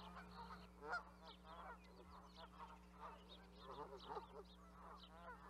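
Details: Canada goose flock honking: many overlapping nasal honks rise and fall in quick succession, forming a dense, chattering chorus over a steady low electrical hum.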